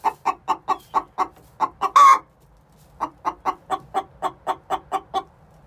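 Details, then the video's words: Hens aged six months singing the egg song before they lay, bursts of rapid regular clucking split by a single loud rough squawk and a short gap. "Chicken song before they lay"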